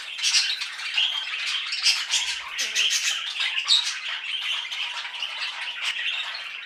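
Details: A female Silkie chicken, whose calling changed after waking, makes an odd, harsh, raspy squawking in quick scratchy bursts, high-pitched and nearly continuous; recorded 25 June 2024.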